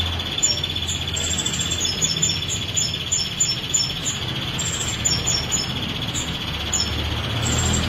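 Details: Female prinia, of the variety called kristal, in rapid nonstop song: sharp high chips repeated in quick bursts over a steady, faint buzzy trill, with a constant low hum underneath.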